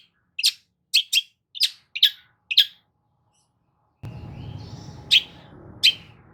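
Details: Long-tailed shrike song used to trigger a silent shrike: five short, sharp chip notes, a pause, then broadband noise under two further chips.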